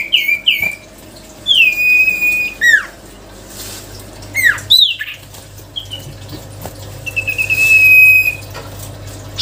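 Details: Sirtu cipow songbird giving scattered whistles: a couple of short notes, then long level whistles ending in sharp upward-flicking slurs, separated by gaps with faint background hiss and a low hum.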